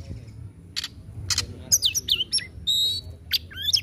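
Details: Oriental magpie-robin giving 'tembakan' song phrases used to rouse sluggish birds: scattered harsh chips, quick whistled slides and one steady high whistle over a low background rumble.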